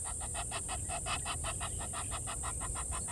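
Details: Water thick-knee at Gowrie dam waterhole, Djuma Game Reserve, Sabi Sand, South Africa, at 07:11 on 16 November 2021, giving a fast run of reedy piping notes, about five a second, over a low steady background rumble.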